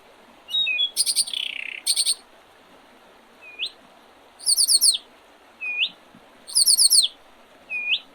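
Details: Wild birds in early spring, 8 April 2023, by the Oredezh River, Leningrad Region, Russia: loud buzzy descending bursts, then short hooked upward whistles repeating about every second and a half, over a steady background hiss.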